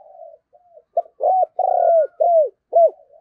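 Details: Decoy spotted dove cooing in the "thúc gù" style to attract wild doves at Tết: a soft opening, then a crisp run of arched low hoots with one longer drawn note, ending in a quiet trailing coo.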